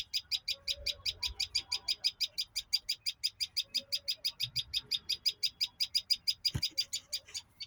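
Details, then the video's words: A long, evenly paced chain of sharp high chirps, about three each second, with a single loud click near the end and faint low sounds underneath. "bird chirping"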